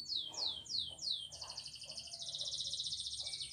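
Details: Canary song, Spanish Timbrado style, used for training: four descending high whistled slurs, then a long fast metallic rolling trill held steady, sung quietly against faint background noise.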